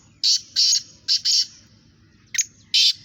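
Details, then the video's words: Black francolins face off in a calling contest. Four loud, harsh, buzzy notes come in a quick phrase, then after a gap a sharp note and another rasping blast are heard, with a low rumble behind. "Kala Teetar Kaly Teetaron ka Muqabla Kala Teetar ki Awaz"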